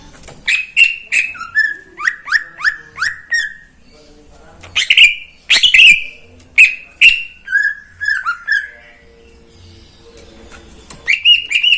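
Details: Caged greater green leafbird owned by a neighbour, singing in the morning: loud bursts of sharp, clear whistled notes, a run of five quick similar downslurred phrases, then louder ringing notes and brief pauses between phrases.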